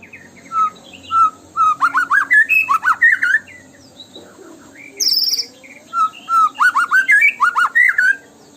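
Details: White-rumped shama song played as a lure to provoke singing: single clear whistles building into fast swooping, slurred phrases, a brief pause, then another run of quick rising and falling notes.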